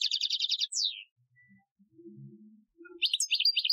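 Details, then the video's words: Goldfinch singing an Algerian training song, 2015: a quick tinkling trill ending in a downward-sliding whistle, a lull with faint low murmuring, then renewed bright twittering notes. "Chardonneret Chant Algerien 2015 , chant de dressage"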